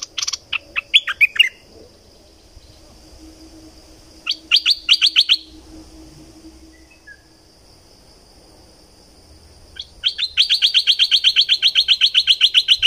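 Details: Decoy recording of a thick-billed flowerpecker from southern Thailand: short bursts of rapid, high clicking ticks separated by quiet gaps, then a long, fast, even run of ticks at the end.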